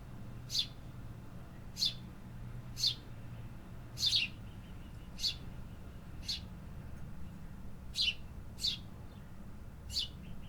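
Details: Urban birds singing in the city: about ten sharp, high-pitched chirps, roughly one per second, with a constant low background hum.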